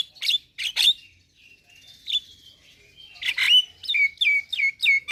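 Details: Javan myna singing scratchy chirps and a thin sustained whistle, ending with a rhythmic series of downslurred whistled notes about three per second.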